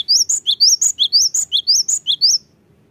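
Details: Cinereous tit, used as a lure to rouse reluctant birds to sing, gives a fast series of high, sharp two-part notes, each rising then dropping, about five per second, in a quiet background.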